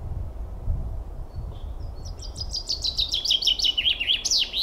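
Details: After low rumbling noise, a chaffinch starts up: quick high notes stepping downward in a loose rattle, rising into a flourish at the end.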